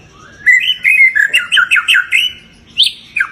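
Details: Pet-bird lure of white-rumped shama song: a rising whistle opens a rapid series of rich, looping whistled notes, then a pause and two short sharp phrases.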